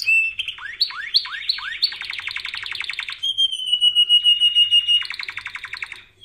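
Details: Canary singing, used for training canaries: a few high whistled notes, then three quick descending swoops, a rapid buzzy trill, and a long steady whistled roll ending in another fast trill.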